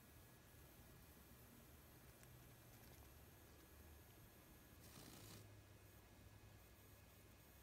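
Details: Very quiet indoor hiss and faint rustling, with a brief louder whoosh midway and no animal sounds.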